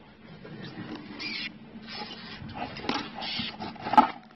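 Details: An angry female parrotlet, a mother, gives harsh, raspy, buzzy scolding bursts, several short noisy outbursts spaced unevenly, as a child sneaks a peek; faint indoor rumble. Parrotlet.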